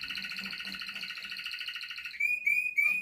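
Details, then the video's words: A male red canary sings a fast, rolling trill of rapid repeated notes for about two seconds, then breaks into several bright, clear rising whistles. "Red canary male singing"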